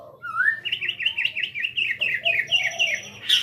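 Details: Jabo-type white-rumped shama singing at Cipinang Muara: a rising whistle leads into a rapid chain of repeated chirping notes, ending in a sharp, loud burst.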